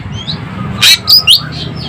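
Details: Asian glossy starling from Sumatra, sharp-voiced: a harsh burst followed by two quick piercing high notes, with soft whistles faintly behind.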